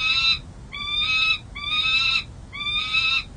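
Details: A young second-year male peregrine falcon (tiercel) at the San Jose City Hall nest, with 3 eggs, gives four harsh, grating alarm cacks, one a second over faint hum, defending the nest and territory, 13 April 2023.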